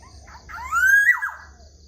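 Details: A black-naped oriole whistles in the morning, a rich fluty phrase climbing steadily to a bright peak before falling away quickly, preceded by a couple of soft short notes; low hum underneath.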